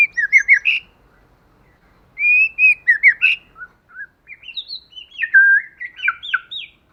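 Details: Forest-style song of a white-rumped shama, used to excite rival birds: varied whistled phrases with quick trills, rising and falling slurs and clear separate notes, delivered in bursts after a short silence.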